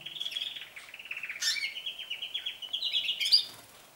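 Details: Canaries starting to sing more often and for longer; one bird delivers a continuous high trill of rapid repeated notes that shifts in tempo, with a brief rising whistle near the end.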